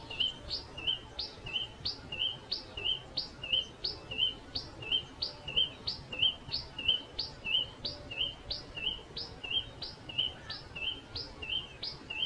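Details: Pipit calling: short, sharp high chirps, each with a quick upward flick, repeated at a steady pace about every two-thirds of a second, some twenty notes in a row over a faint low background hum.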